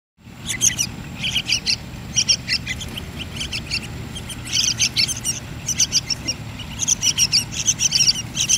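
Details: Yellow-vented bulbul chicks being hand-fed: clusters of short, high, shrill chirps in rapid bursts, repeated in runs every second or so, over a low steady background hum.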